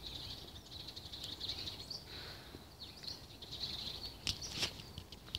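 Parakeets chatter in a steady stream of high, scratchy chirps and short warbles, with a few sharp clicks near the end over a soft background hiss.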